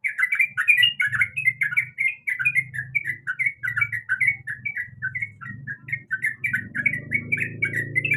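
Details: A female sooty-headed bulbul in breeding condition calls to a male in a lively chain of short whistled chirps, over persistent low rumbling background noise that swells near the end.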